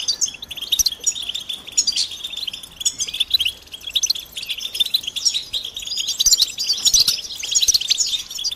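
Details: A group of European goldfinches gives mating and readiness calls meant to stimulate males into song. High, rapid chirps and tinkling twitters pile up in rolling surges, with louder bursts near the end.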